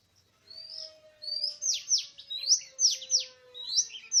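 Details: Wild Oriental magpie-robin singing in a forest on 24 March 2017, recorded during bird trapping. Loud rising whistles mix with sharp downward sweeps and quick bright notes in a varied phrase. A faint steady hum sounds underneath.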